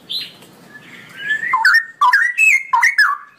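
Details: Ropelan-style long song from a straw-headed bulbul. A quiet high note and rising whistle lead into loud, bubbling, liquid phrases in repeated short bursts, each dipping then climbing.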